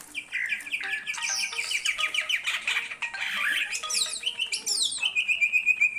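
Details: Singing greater green leafbird, a master recording for songbird training: rapid trilled series of sharp notes, then mixed chatter, high descending sweeps and a sustained whistled ending.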